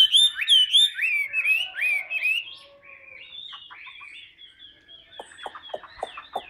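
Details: A Chinese hwamei kept caged and held on the hand sings ngũ trường style: clear, loud, rising whistled phrases repeated several times, then softer chattering notes and a few sharp downward clicks.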